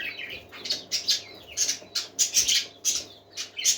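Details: A group of parakeets singing with quick, bright chirps in pulsing bursts about twice a second, interleaved with softer warbled twitters.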